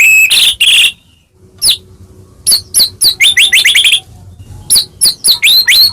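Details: White-rumped shama in rich, profuse song to provoke rival shamas: two harsh rasping bursts, a pause, then quick rows of sharp rising whistled notes.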